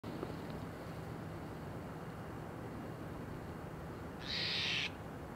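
A Steller's jay gives one harsh, raspy, scratchy note lasting under a second near the end, over steady hiss and a faint low hum.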